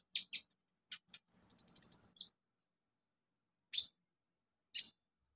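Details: Olive-backed sunbird heard on a training recording for beginner birds: a few sharp high chips, then a fast buzzy trill lasting about a second, followed by two isolated piercing notes after a silence.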